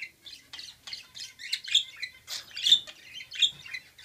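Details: Two budgerigars flirting chatter in busy, scratchy warbles and chirps.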